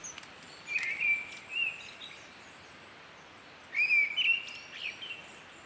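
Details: Mistle thrush in Britain singing its melancholy, whistling song: two short, clear, fluty whistled phrases about three seconds apart, each a brief run of notes, with a faint hiss of background noise.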